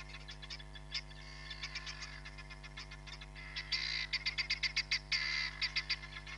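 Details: Live-camera sound of a hamerkop at Nkorho Bush Lodge, 31 July 2021: faint scattered yelps that build into loud, quick, strident note series and buzzy bursts in the second half, backed by a steady mechanical hum.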